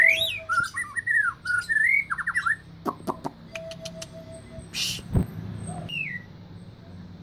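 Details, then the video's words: White-rumped shama, said to be easily agitated, sings a burst of mellow whistled, looping phrases, followed by dry clicks and knocks and one brief rising note. "Murai batu mudah emosi"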